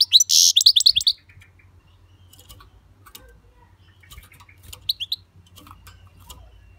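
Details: European goldfinch with one brief burst of rapid twittering and buzz, followed by faint scattered chirps against quiet background hum.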